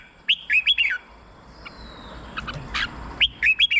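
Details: Red-whiskered bulbul song for stimulating caged birds or for decoying: two lively phrases of four or five hooked, whistled notes about three seconds apart, with scattered chirps and a faint thin whistle between them.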